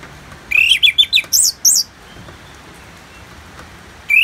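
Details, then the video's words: Orange-headed thrush singing in the ngeplong style, played as therapy for birds with rain: a quick burst of about six clear, sweeping whistled notes in half a second, then quiet before one more note begins. "Terapi ANIS MERAH Ngeplong dan Suara Hujan ALAMI"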